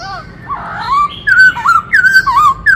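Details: Dancing black-throated laughingthrush in varied multi-voiced song meant to stir up fresh wild-caught birds; a soft warbling start gives way to loud ringing whistles, slurred up and down in quick bursts.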